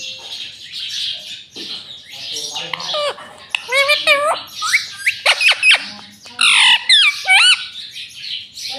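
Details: A pet rose-ringed (ringneck) parakeet talks "mommy mommy", chattering harsh squawks and speech-like syllables with rising and falling whistled notes between words. Rose-ringed parakeet.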